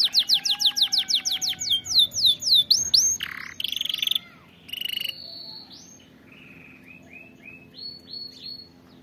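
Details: Canary song for teaching canaries correct singing: fast repeated downswept notes, harsher buzzy bursts, then a sequence of short flat whistles stepping between pitches with quiet gaps.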